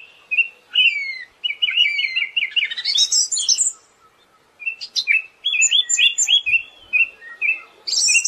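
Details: Siberian thrush song in two long bursts of fast, chattering whistled notes and high twitters, divided by a quiet gap.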